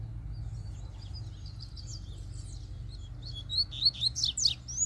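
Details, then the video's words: Soft high twittering builds into a louder, fast phrase of sharply rising and falling notes from a free-living double-collared seedeater, over faint low background noise. "COLEIRO SOLTO FORTE CHEGOU PICANDO CANTO!!!"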